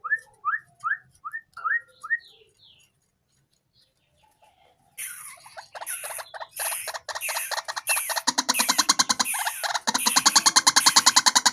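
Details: Tame White-breasted waterhen raised from a chick, calling at any time: five short rising notes, a pause, then a loud, rapid, harsh pulsed croaking series that builds in strength to the end.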